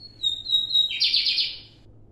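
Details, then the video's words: Song of a lined seedeater in Brazil, high loud phrasing: a level thin whistle slurring slightly downward into a loud, rattling buzzy trill of quick repeated notes lasting about a second. "CANTO DO BIGODINHO TERRORISTA NOTAS ALTAS E GROSSAS!"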